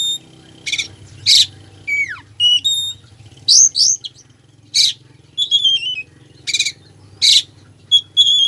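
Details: Oriental magpie-robin's richly mimicked song, meant to spur sluggish birds into singing: steady runs of ringing whistles, descending slurs and harsh rasping bursts repeated roughly every second, with a faint low background hum.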